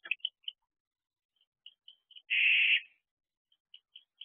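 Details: Inside a nest box at night, a male barn owl reacts to an arriving predator on 31 October 2023. Scattered soft chirps lead into a single loud, harsh, hissing screech about half a second long, then more faint chirps.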